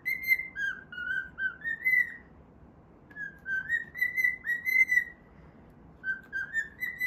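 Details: A cockatiel at play whistles a melody it has picked up, three bursts of clean notes that step up and down, with pauses between phrases and a quiet room background.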